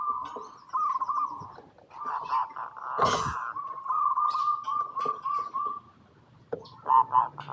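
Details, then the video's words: Local zebra dove, perkutut, singing gacor lure song to get other birds responding: repeated trembling coo trills, a sharp loud crack near the middle, more bubbling phrases, then a short emphatic final trill. "Perkutut Lokal Gacor RAJA PIKAT Paling AMPUH | SUARA Bikin Semua Burung Perkutut Langsung Nyaut"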